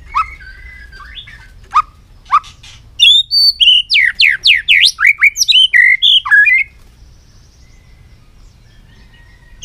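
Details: White-rumped shama delivering a long song strand: a few scattered whistles, then a fast burst of about fifteen loud, steeply sweeping notes before it falls silent.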